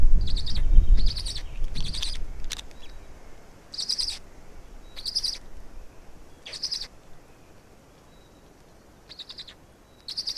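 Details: Black storks in Estonia on 16 May 2019 at 16:58, with two young fed at the nest. Harsh, wheezy bursts repeat irregularly over low rumbling noise, with a thin tonal whistle between them.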